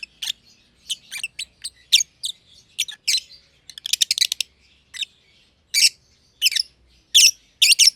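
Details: Green pied personata and green personata lovebirds chirping in their aviary; scattered shrill rasping calls, a quick rattling trill near the middle, then louder isolated harsh chirps spaced roughly every half second.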